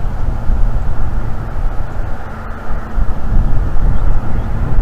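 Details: A steady, loud, low roar of wind or engine rumble fills the recording throughout, with no animal voice heard.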